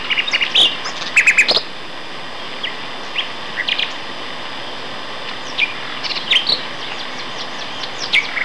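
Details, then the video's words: Two male common nightingales singing at Castor Hanglands near Peterborough in May; varied bursts of sharp chirps and whistled notes, a rapid rattling run near the start, then scattered phrases and short trills over steady background hiss. "Nightingale Duet"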